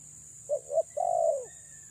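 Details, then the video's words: Female spotted dove lure call: two short soft coos followed by a long, purring, slightly descending note, with a constant high-pitched whine behind. "BURUNG TEKUKUR BETINA PREM4N MENGH4JAR PIKAT‼️"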